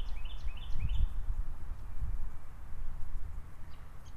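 An American goldfinch gives four quick, high, rising notes in about a second, then a couple of faint notes later, over a steady low rumble.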